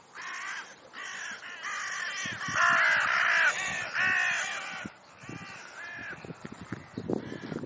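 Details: Several crows at play on a lawn in Leipzig's Rosental near the zoo: a loud, dense burst of overlapping raspy caws for about five seconds, then quieter rustling and shuffling sounds.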